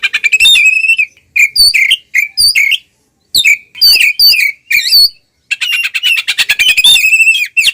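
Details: Ngeplong fighting song of an Oriental magpie-robin, used to provoke rivals: series of bright whistled and slurred notes with brief pauses, ending in a fast buzzy rattle.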